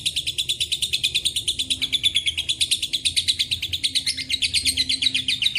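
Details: Lovebird ngekek panjang, a long chattering song filled with cililin and canary phrases, used as a training and lure recording: a rapid, unbroken run of high buzzy notes, steady throughout, with a faint low hum underneath.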